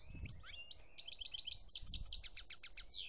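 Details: In Algeria, 2017, a European goldfinch pours out a continuous, fast jumble of high twitters, chirps and rattling trills over three seconds, with a low background rumble and thuds.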